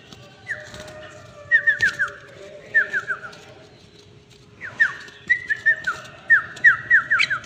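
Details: Tame red-whiskered bulbul singing bright whistled phrases, each a quick run of three or four falling slurred notes, repeated in bursts with short pauses, over a faint steady low hum.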